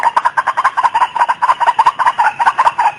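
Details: White-breasted waterhen calling, used as a lure for the opposite sex: a rough, harsh croaking note at mid pitch, repeated quickly and unevenly about twice a second, with a hoarse, noisy edge throughout.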